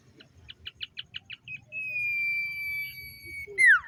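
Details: Common iora morning song with a series of about eight short evenly spaced chirps, followed by a long steady whistle and a loud downward-sweeping note.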